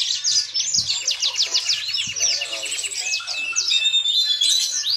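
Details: Captive yellow-fronted canary singing a rapid cascade of high sweeping chirps, about three notes a second, shifting into thinner whistled notes near the end, over a quiet electrical hum with occasional light taps.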